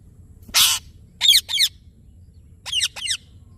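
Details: Rose-ringed parakeet with a short noisy burst followed by two pairs of sharp, shrill squawks separated by a pause, over a quiet low hum.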